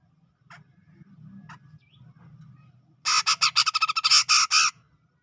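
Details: Grey-cheeked bulbul from the tropical forest of Sumatra around Medan, singing in the lively ngepik style: after faint low hum, a burst of about a dozen harsh, buzzy, rapid notes lasting under two seconds.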